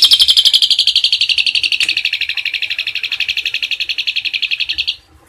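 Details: Fast, shrill trill from an Asian pied starling, a 'tembakan isian cililin' master recording, with pulses repeated about four times a second for five seconds before it stops abruptly.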